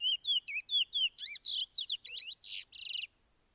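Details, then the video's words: Pijé-Pijé training song of the Chestnut-bellied seed-finch from Suriname: clear slurred whistles give way to broader, buzzy and rasping notes before stopping abruptly. "BEST TRAINING SONG "PIJE-PIJE" Picolet = Curió = Chestnut-bellied Seed-finch = Oryzoborus angolensis"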